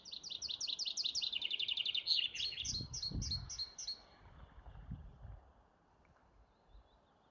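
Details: Bird song recorded on 15 May: a fast, bright trill of about twenty sharp high notes that steps gradually lower in pitch over four seconds, then trails off into faint background with low rumbles.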